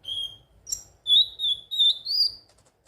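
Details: Clear, thin whistles from a ruby-cheeked sunbird played to encourage birds to sing: a steady high whistle, a short sharp chirp, then three drawn-out whistles, the last rising slightly.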